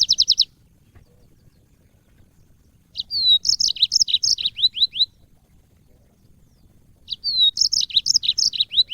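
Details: Yellow-fronted canary song for training cage birds: a short trill, four seconds of silence, then two bright phrases of quick slurred whistles and chirps with a pause between them.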